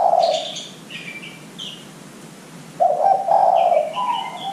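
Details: Spotted dove coo used as a lure to prompt young doves to begin calling: a short coo, a pause, then a longer rolling coo phrase, with soft high chirping from other small birds.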